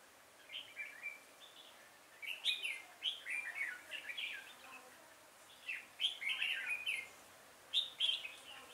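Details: Red-whiskered bulbul decoy bird singing to lure wild bulbuls into a trap, 5 October 2018: lively run of rapid chirped and warbled notes, about four per second, delivered in uneven bursts.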